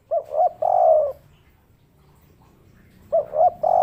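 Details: Spotted dove, local tekukur with a kuk 3 call, repeating its three-note coo twice: two brief rising notes and a longer held coo, separated by a pause of about two seconds.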